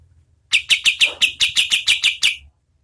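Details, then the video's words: {'text': 'A short burst of oriental white-eye song used to train competition birds: ten evenly spaced, piercing high chip notes delivered in about two seconds, with silence before and after.'} "KAPAS TEMBAK GACOR SPEED SEDANG"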